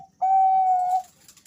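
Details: Bangkok-type male zebra dove, one of two answering each other: a single clear, level whistled coo held for close to a second, followed by faint hissy noise.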